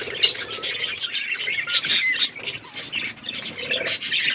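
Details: Budgies eating seeds while chirping: a dense chatter of overlapping high, scratchy chirps and squeaky notes from several birds, continuous throughout, with soft lower rustling.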